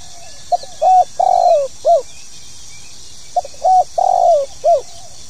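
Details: Spotted dove calling in pokal tanggung style, used to set new birds cooing: two low mellow phrases about three seconds apart, each a short note, level coo, long drawn falling coo and a clipped final note, with steady background hiss.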